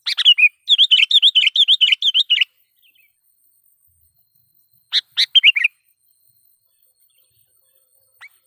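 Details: Sooty-headed bulbul singing loudly to provoke wild bulbuls: a rapid two-second string of wavering chirped notes, a pause of over two seconds, then a short cluster of sharp chirps and a faint final note.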